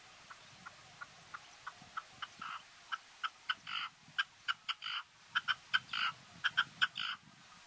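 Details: A Red-legged partridge on Gran Canaria, Canary Islands, Spain, in November 2022 gives hoarse, clipped chuck notes that quicken and swell into louder, grating chuck-chuckar phrases over several seconds.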